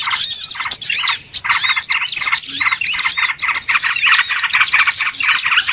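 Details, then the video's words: Busy lure sound of small birds for trapping: a steady stream of fast, pulsed twitters in short rhythmic bursts, topped by scattered thin upslurred whistles, with brief dips in the chatter. "SUARA PIKAT BURUNG RIBUT ANTI ZONK"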